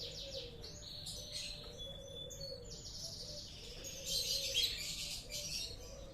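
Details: Canary during mating, in a breeding setting: bright, rapid, high trilled warbling with quick repeated notes in a steady stream, rising in intensity near the end, over a low continuous hum and wavering lower tones.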